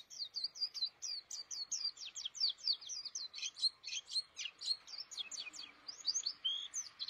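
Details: A caged white-eye (pleci) sings a fast, unbroken stream of thin, high chirps and twittering notes, bright and lively, with no other sounds standing out.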